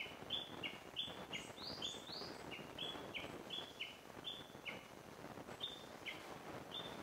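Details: Little grebe calls on 22 May at Akigase Park, where a parent with young was seen: a rapid series of thin, high peeping notes, about three per second, some sliding upward, over a soft background hiss.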